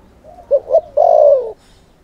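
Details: Lure spotted dove cooing to provoke males into responding; two brief soft coos then one long sustained, gently falling low coo.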